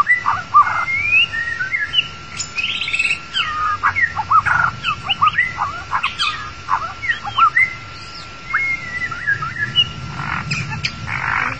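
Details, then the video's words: Long-tailed white-rumped shama song played as a lure for trapping the bird: a loud, varied stream of rich whistles, slurred notes and quick chattering phrases, over a steady electronic hum. "Cara mudah memikat burung murai batu ekor panjang"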